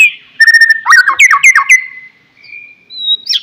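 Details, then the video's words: White-rumped shama song, played to prompt a silent bird to sing: fast clear whistles with quick rising and falling slurred notes, ending in a long level whistle and a short high flourish. "MURAI BATU BENGONG,, DIEM .//. LANGSUNG RESPON DENGARKAN KICAUAN INI"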